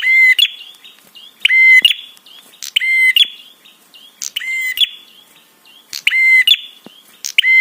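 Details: Prinia 'trapi' sound meant to provoke a response and arousal in other birds. Loud, nasal, buzzing rasps, often doubled, repeated roughly every second to second and a half in a steady chattering run.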